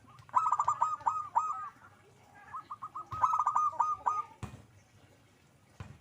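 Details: Zebra dove in lively song: two phrases of fast, stuttering mellow coos, each lasting over a second, separated by softer notes, with a sharp click near the end.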